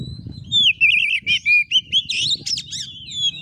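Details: Oriental magpie-robin giving fighting-style 'kura kura' song: a loud series of wavering whistles and zigzag chirps, a few sharp buzzy notes, in clean high bursts.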